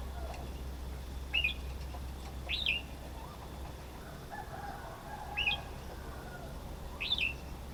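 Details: Four faint, widely spaced chirping calls from a red-whiskered bulbul, each a short sharp upslurred note with a slight twist, set against low background rumble.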